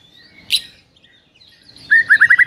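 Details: Rival-provoking morning masteran of a white-rumped shama: a faint high whistle and one sharp note, quiet, then a fast, loud trill of repeated rising whistled notes.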